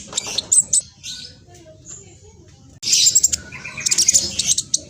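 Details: Olive-backed sunbird singing at fast speed, meant to provoke other birds into replying: brief high chips, a pause with faint background, then a loud burst of shrill, hurried twittering.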